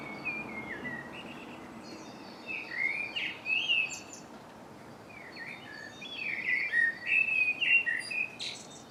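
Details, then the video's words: Several birds in a March dawn chorus in MK, captured with a Canon Legria: overlapping high warbling phrases come in two bursts separated by a quieter stretch, over steady background noise. "Dawn chorus very little to see but lovely birdsong"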